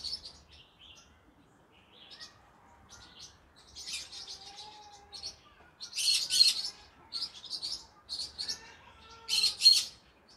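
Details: A green-cheeked conure in the evening keeps up soft, high chatter that grows busier, with two harsh loud screeches several seconds apart and a faint lower whistle underneath.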